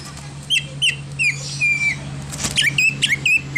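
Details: Greater green leafbird giving a full-mimicry 'isian' song that includes an imitated car horn: quick slurred whistles, a long level whistle, then a run of short clipped notes against a steady low hum.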